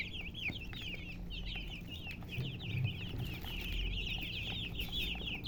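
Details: Chickens chirping: a dense, continuous stream of high, quick wavering peeps from several birds over a steady low rumble.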